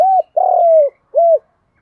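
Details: Close spotted dove calling in giọng đồng voice: a steady hoot, a long gently falling coo, then a rounded arched hoot, loud and clear with no other sounds.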